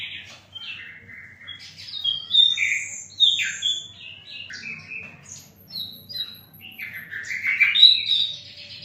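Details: Flycatcher (sikatan londo) performing an active, rambling song of high whistles, chirps and short rising and falling slurs, delivered in quick irregular bursts with loud accented notes throughout.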